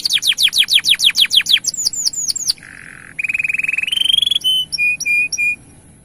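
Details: Canary song aimed at rousing males to sing: rapid falling whistles, a low buzzy note, a rising rolling trill, then spaced pure whistled notes.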